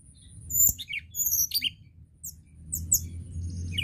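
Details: Tledekan gunung singing: scattered high, sharp whistled notes and short slurred phrases, with a steady low rumble of background noise throughout.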